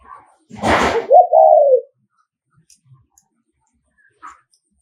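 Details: Spotted dove decoy from Nghệ An giving a 'thúc gù' coo to provoke rival males: a loud noisy flutter or thump, then a short rising note and a smooth, slowly descending coo; faint knocks afterwards.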